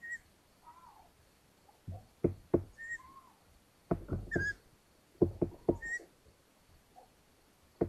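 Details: At a Hungarian long-eared owl nest on 13 May 2022, the mother brings a mouse to her chicks. Brief high squeaks recur with a few lower wavering notes, among loud knocks and rustling in the nest.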